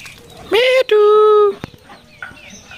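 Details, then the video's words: Pet Indian ringneck parrot imitating human speech: two sustained, even, voice-like tones with stacked harmonics, the second longer and flat, followed by a few faint clicks and quiet background. "Kotha Bola tia pakhi Talking parrot কথা বলা টিয়া পাখি"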